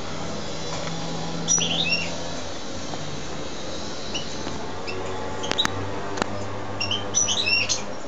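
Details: Wild-caught European goldfinch kept in a cage gives two short bursts of high, tinkling twitters, one early and a longer one near the end, over a steady low indoor hum and a few clicks.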